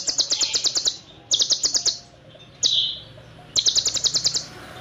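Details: Olive-backed sunbird song in the dense, long 'full nembak' style with 'cililin' fill, used as a tutor recording for songbirds: four bursts of very high, rapid ticking notes, six to eight per burst, separated by short pauses.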